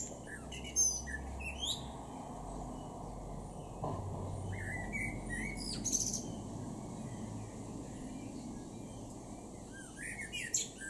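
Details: In a garden in Norden, East Frisia, northwest Germany, in June 2023, a male blackbird sings short mid-pitched phrases broken up by high squeaky twitters, over a steady low rumble of background noise.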